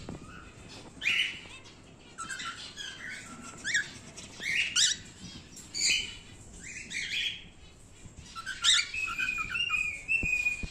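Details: Male cockatiel of the normal grey wild-type colour, kept as a pet, making bright, raspy chirps in short bursts roughly every second, ending in a longer level whistled note.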